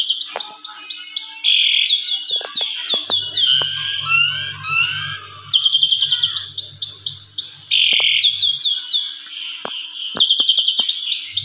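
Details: Asian pied starling lure song meant to provoke other starlings: rich, varied whistles, chatters and buzzy phrases pour out almost without pause. A low mechanical hum sounds briefly in the middle, with sharp clicks scattered throughout.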